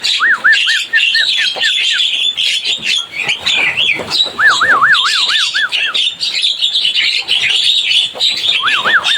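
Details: Noisy Javan myna calling: bursts of quick, wavering, see-sawing whistles, around five to seven per burst, come in three bouts separated by pauses, set against a constant background of shrill twittering chatter.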